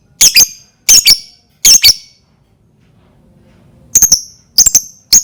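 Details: Lovebird sound meant to prompt other lovebirds to sing: three harsh doubled screeches in quick succession, a short pause, then thinner, sharper paired squeaky notes.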